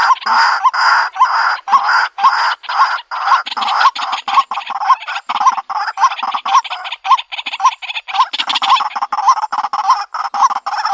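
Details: White-breasted waterhen used as a trapping lure in the country, giving rapid harsh croaking calls roughly twice each second, with hooked nasal notes and overlapping raspy bursts forming a steady clamour.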